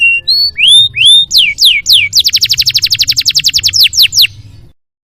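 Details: Canary master song for tutoring other canaries: several rising whistled slurs and descending sweeps, then a fast, even high trill of about twenty notes, ending in silence.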